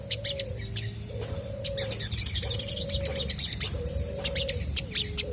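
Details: Chestnut-backed scimitar babbler singing energetically so other birds reply; steady low hollow whistles, about four notes roughly one per second, each slightly falling at the end, with busy high-pitched chirps from other birds throughout.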